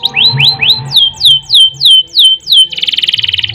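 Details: Canary song in its long trilling style, kept as a training and lure recording: a row of rising slurred notes, then repeated downward-sweeping whistles, ending in a fast buzzy trill, with a faint low hum.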